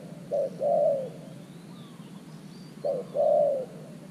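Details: Decoy spotted dove calling beside an earthen dove trap to attract wild birds; two mellow two-part coos, a quick low note then a sustained warbled coo, separated by about two seconds of quiet.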